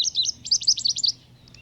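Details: Sunbird in Karnataka, India gives a quick run of about eight thin, high, sharp chirps over one second, with a faint low hum in the background.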